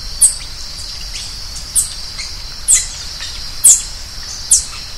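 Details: Green-headed tanager song: five very high, thin, downslurred chirps spaced about a second apart over a constant high-pitched insect buzz.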